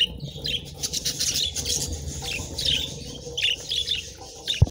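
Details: Pet parakeets eating treats make busy, scratchy chirps and warbles throughout, ending with a sharp knock.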